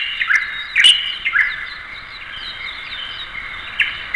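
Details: Light-vented Bulbul heard as fainter, scattered chirps and short slurred whistles, loudest in the first second and a half, then trailing off into a softer, lower chatter.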